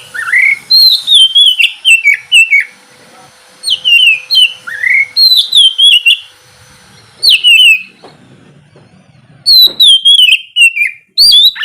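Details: Kacer, or oriental magpie-robin, delivering morning ngeplong song meant to stir reluctant birds: ringing downslurred whistles and upward sweeps grouped in runs of three to five notes, separated by short silent gaps.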